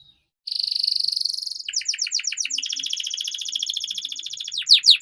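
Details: Canary song used to coax young canaries into singing: after a moment of silence, a loud, steady, high rattling trill, then a long run of quick descending chirps blending into a rolling warble.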